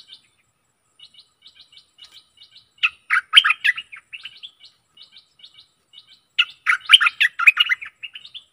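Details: Stripe-throated bulbul song used as a decoy to lure aggressive wild birds: scattered short high chirps, then two loud bursts of rapid bubbly, warbling notes.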